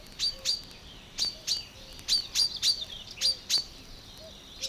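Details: Marsh warbler singing in the water-meadows and coastal pastures of Matsalu, a field recording released in 1979: short sharp high chips repeated in quick pairs and clusters, with soft low whistled notes sounding faintly beneath.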